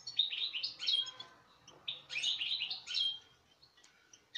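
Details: European goldfinch, one of this season's latest bred birds, recorded 5 August 2019: three bursts of bright twittering with liquid trills, separated by brief pauses, over a faint low hum.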